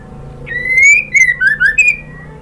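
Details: A female white-rumped shama calls to the male with a long rising whistle, then three or four shorter downslurred whistled notes and a final upward note, loud and clear over a soft low hum.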